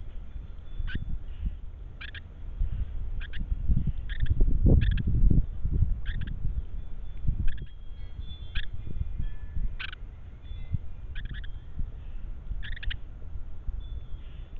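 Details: Carolina wren, though possibly another wren, on a backyard trail camera in Kansas, gives short, sharp, slightly buzzy call notes, roughly one a second, over a steady low rumble of wind or handling noise.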